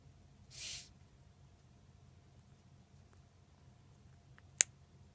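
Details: A pet Senegal parrot, first feared sick for abnormal breathing, makes one soft, airy hiss like a breath through the nose, mimicking its owner's nasal inhale. A single sharp click follows in a quiet room.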